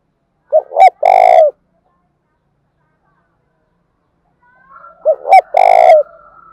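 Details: Loud spotted dove call used as a lure for wild birds. Each phrase has two quick coos followed by a drawn-out harsh coo, and two phrases are spaced roughly four and a half seconds apart.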